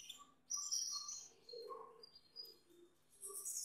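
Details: Male Gloster canary with its female partner, producing sustained high whistled notes and short chirps, joined by a repeated softer mid-pitched note and ending in a loud buzzy burst.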